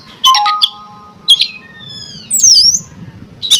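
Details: Oriental magpie-robin song, played to provoke other magpie-robins into singing: harsh squawks, then long level whistles and sweeping high notes. There are silent gaps between the bursts and a low hum underneath.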